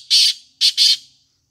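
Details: A black francolin gives three rough, scratchy notes: one longer burst, a pause, then a quick close pair. The notes are loud and near, with nothing else audible.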